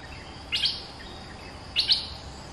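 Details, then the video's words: Two short, sharp, slightly harsh chirping bursts about a second apart from a Streak-eared Bulbul caged two months, recorded as a lure sound, with quiet hiss between them. "เสียงนกดอกแตงEp.220 จ้าวเล็บขาวอายุกรง2เดือน เพลงพอฟังได้ มีลักเบิ้ล Suara pikat merbah lekir gacor"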